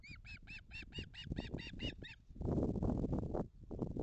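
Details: Ospreys at a nest in the Napiwodzko-Ramucka Forest, 28 July 2020; one bird seizes the other's leg instead of the fish, then performs aerial manoeuvres with a fish. About ten rapid, arched, harmonic whistled notes over two seconds, then rustling, rumbling noise.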